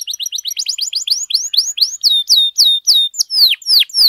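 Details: Canary singing continuously, used as master song to train other canaries: rapid series of rising whistled sweeps that slow into longer, louder descending slurred notes, repeated about three per second.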